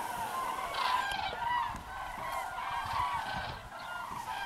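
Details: Common cranes returning to the roost in long single-file lines, a steady chorus of loud bugling and trumpeting calls from many birds overlapping throughout, with some rumbling background noise.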